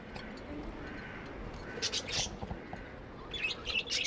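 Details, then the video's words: Pet budgies chirping affectionately: a quiet opening, then two short clusters of high, scratchy chirps and squeaks over a low background rumble. "Budgies amazing love & chirping sounds"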